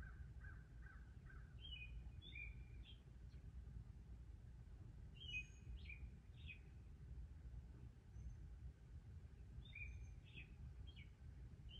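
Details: Northern mockingbirds in a courtship display, the male singing to defend territory and attract a mate: short, sharp whistled phrases repeated in clusters every few seconds, quiet and distant over a steady low rumble of background noise.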